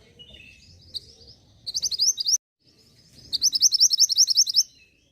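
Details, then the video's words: Song of the Mantenan gunung, intended to make caged birds sing: a thin descending warble, then two rapid, strongly pulsed trills of high repeated notes, the second longer with about fourteen notes. "PENARIK RESPON BUNYI UNTUK BURUNG MANTENAN GUNUNG AGAR CEPAT GACORR."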